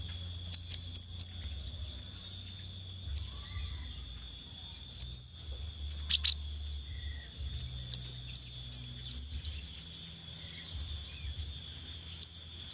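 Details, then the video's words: Extended scarlet minivet lure: repeated bursts of shrill, high whistled notes, often in quick threes and fours, separated by short pauses. Soft chirps fill the gaps, over steady low background noise. "Pancingan Sepah Raja Ekor Merah"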